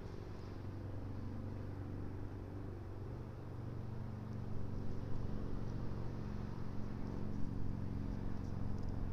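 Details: Steady low engine rumble from a passing vehicle fills the recording outdoors, with no animal voices standing out.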